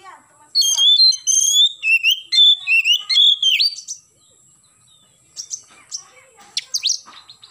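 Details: Oriental magpie-robin in full morning song, rapid clear whistles jumping between pitches for roughly three seconds, followed by softer, scattered chips and scratchy calls, with a thin continuous high tone in the background.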